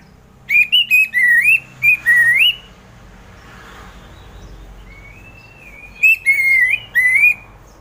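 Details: Relaxed ngeplong song from an orange-headed thrush: clean whistled phrases that slide upward and waver, a pause of about three seconds with faint background hiss, then another burst of rising, twisting whistles.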